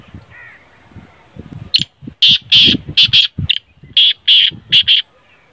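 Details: A black francolin (kala teetar) gives a loud, harsh, grating phrase of about eight rasping notes in quick rhythmic groups over three seconds, over a faint low rumble. The call is offered to prompt other francolins to call.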